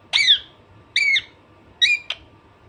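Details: Alexandrine parrot screeching three times, each harsh ringing squawk about a second apart, the last cut short by a sharp click; low electrical hum behind.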